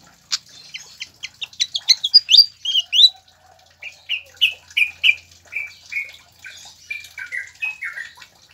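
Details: Pied fantail song, played as masteran training audio to get captive birds singing: a rapid run of sharp chips rising in pitch, then a slower series of clear whistled notes, each sliding downward, about four a second.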